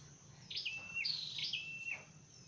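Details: Dark-necked tailorbird, in a training and trapping context, giving two clear high phrases, each a quick upward flick followed by a sustained flat whistle that slurs down at the end, against faint low noise.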